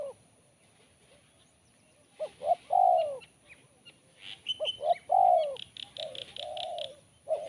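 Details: Spotted dove song in the kuk 1 style, described as sharp and crisp: two clipped notes then a loud bending coo, phrase repeated, with high twittering from small birds behind.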